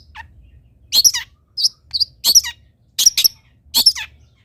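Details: Long-tailed shrike training song: harsh, grating, broadband bursts alternating with short high squeaks, delivered in uneven clusters.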